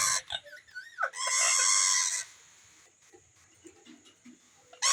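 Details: Indian green ringneck parakeet with a baby parrot: a short wavering, whistled harmonic phrase, then a loud harsh, noisy squawk lasting about a second, followed by a quiet background with faint clicks.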